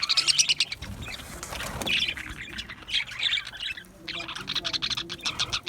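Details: Aviary budgerigar flock with loud clipped chirps at the start, then a running mix of high scratchy twitters broken by a brief lull near the four-second mark.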